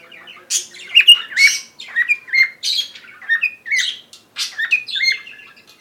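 A cockatiel chirps and chatters in quick bursts of bright, warbling notes, a sign of contentment.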